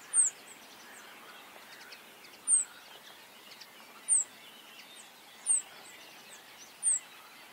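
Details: Rock bunting calling: a thin, high, downslurred 'tsii' note repeated about every one and a half seconds over a soft, steady background hiss.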